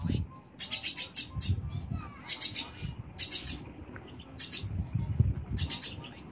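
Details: Young hand-reared Javan myna in training to talk, uttering bursts of harsh, hissing high-pitched notes in clusters separated by short pauses, with low rumbling background noise.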